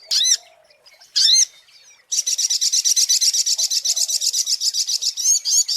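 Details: Lure recording of a sunbird: two separate sharp, looping high notes, then a fast, steady series of buzzy chips that ends in a few slurred, rising notes.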